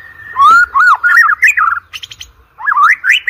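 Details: White-rumped shama song used as a lure for competition birds: loud looping whistles and warbles, a short run of buzzy chips, then more twisting whistled notes.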